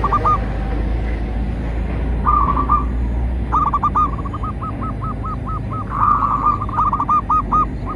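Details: Zebra dove of a local strain, recorded as a lure for captive and wild doves, giving repeated bubbling cooing phrases that become a long run of evenly spaced, pulsed coo notes near the end, with faint background hum.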